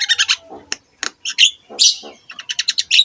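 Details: Javan myna (jalak kebo) song for tutoring other mynas: quick stuttering series of chattering notes, harsh squawks, then another rapid chattering run ending in a whistle.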